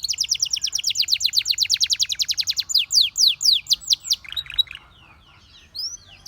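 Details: Canary song opening with a fast even trill, slowing into loud, separated downslurred whistles, then a short buzzy phrase, a pause and a final rising whistle.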